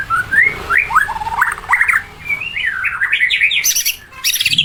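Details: Melodious white-rumped shama song of quick zigzag whistled notes rising and falling in a jumbled run, ending with a few very high bright chirps.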